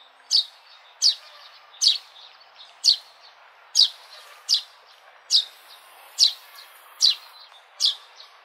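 A sparrow gives short, bright chirps, one every second or so, steady and unhurried, over a faint background hum.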